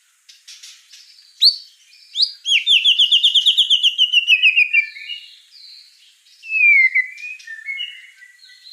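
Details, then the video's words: White-rumped shama in full song, known locally as gacor: a loud rapid trill of sliding whistled notes repeated many times, then falling whistles and softer chattering phrases. "Suara kicau burung murai batu gacor"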